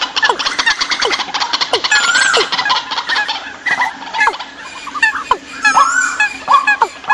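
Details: Compilation of decoy bird calls for the migration season: crowded overlapping chirps and steep falling notes from many birds, with a steady faint background tone throughout.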